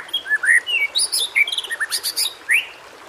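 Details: Short varied white-rumped shama (murai batu) phrase used to encourage quiet birds to sing: slurred whistles and high sharp chirps in quick succession.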